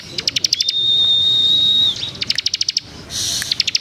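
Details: Bar-winged Prinia in lively gacor song: a burst of quick clicks, a long pure steady whistle lasting over a second, then further fast runs of sharp ticking notes and a brief hissy buzz.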